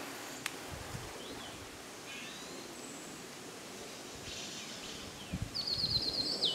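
White-eared sibia giving a quick, high series of about eight clipped notes near the end, after soft, faint bird notes over steady rustling background noise.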